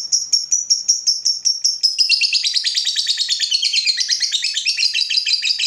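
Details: Provoked fighter lovebird in a long ngekek: a rapid, continuous chattering trill of high notes that dips lower and grows denser and buzzier midway, with no pause.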